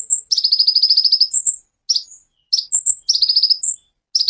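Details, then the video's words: Kolibri ninja sunbird delivering varied 'tembakan' phrases for songbird training: rapid chattering trills alternating with sharp high chips and brief whistled notes, in bursts about a second long with short gaps. "Kolibri Ninja Ful Tembakan cililin"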